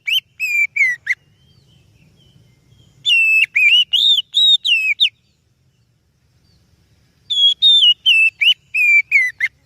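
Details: Oriental magpie-robin song, a recording used as a lure for other birds: three bursts of loud, clear whistled notes, wavering and sliding, separated by silent pauses of about two seconds.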